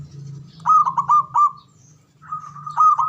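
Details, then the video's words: Male zebra dove cooing, ngoar manggung style, meant to raise mating arousal: a short run of clipped, ringing coos, a quiet gap, then a second run, over a low steady hum. "SUARANYA🔊 PALING DI CARI UNTUK PENDONGRAK BIRAHI & EMOSI❗NGOAR MANGGUNG"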